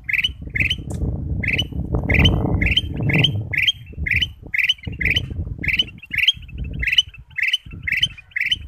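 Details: Ruby-throated bulbul singing a lure song to spur other birds into song: steady run of short lilting phrases, roughly two per second, over constant low rumbling background noise.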